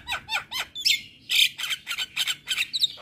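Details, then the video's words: Javan myna singing in a loud, nonstop burst meant to provoke neighbouring mynas: a quick run of harsh, buzzy squawks and scratchy rising notes, packed closely with short gaps and no steady rhythm. "Burung Jalak Kebo Gacor Parah Bikin Emosi Jalak Tetangga - Kicauan Jalak Kebo Gacor"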